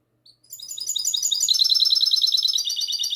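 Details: Classic-style song from a goldfinch hybrid, recorded at night, 22 March 2020: high twittering notes build quickly into a continuous, fast, liquid trill of bright chirps that is still running at the end.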